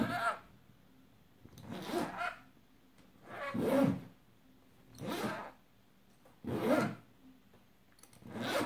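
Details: A pet rainbow lorikeet (Trichoglossus moluccanus) mimics a zipper with six harsh, rasping bursts, one every second and a half or so, each a broad scratchy sweep, in an otherwise quiet room.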